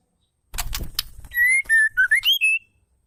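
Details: A burst of sharp clicks, then a female white-rumped shama gives a quick run of clear whistled notes, level then rising and falling, ending in a brief trill. The call is used to provoke male shamas to sing.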